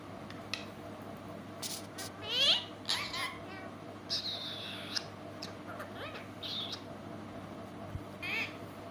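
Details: Pet parrot, described as talking sweetly, producing raspy, speech-like squawks and sweeping harmonic calls in short bursts over a low background hum.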